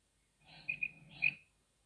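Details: Female common quail, a local desi bird, calling in a recording used as a hunting lure: a short burst of high, squeaky notes, two quick peaks and then a stronger third note, over faint low background hum.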